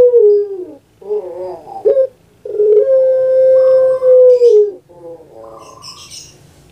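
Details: Pet puter pelung dove giving its distinctive kuk gerukkk kwokkk cooing: a falling coo, a rolling warble, a sharp upturned note, then a long sustained level coo and further wavering notes, with faint chirps of other birds.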